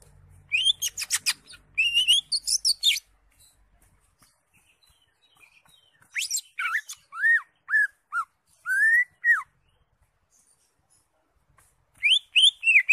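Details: Greater green leafbird in lively song with crest raised, full of varied notes, used to tutor other birds: scattered bursts of sharp, high, chattering whistles, then a set of clear downslurred whistles, with quiet pauses between phrases.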